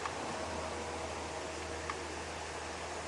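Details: Steady hiss with a low hum and faint mechanical tones during an evening safari drive at sunset, no animal voice heard.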